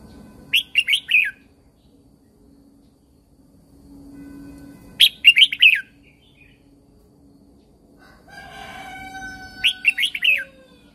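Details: A Thai Red-whiskered bulbul, kept caged, gives its 'Super Jack' song for training and stimulating birds. Three separate quick warbled phrases several seconds apart, with a second bird's drawn-out descending whistles heard near the end.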